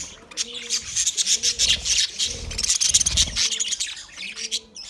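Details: Budgerigar chatter: fast, high, scratchy twittering and chirps in an almost unbroken stream. Low cooing phrases repeat about once a second underneath.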